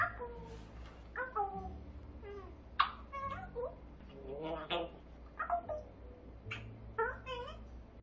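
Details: A pet grey parrot chatters indoors in short, speech-like phrases with nasal, wavering tones and the occasional bright whistle, talking affectionately about itself (kisses, "so pretty"), amid a steady hum.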